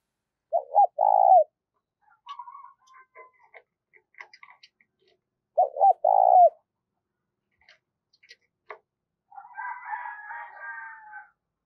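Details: Spotted dove kept as a decoy, cooing two rolling phrases about five seconds apart, amid scattered clicks and higher bird calls and a burst of chattering near the end.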